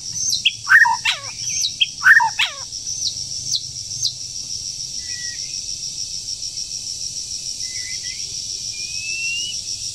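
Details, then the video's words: Wild forest bird, moulting, breeding season: two bursts of loud sharp chirps open the passage, followed by faint thin whistles over a steady high insect hum. "Chim Rừng Đang Thay Lông Mà Chíên Quá • Dợt Chim Mùa Sinh Sản"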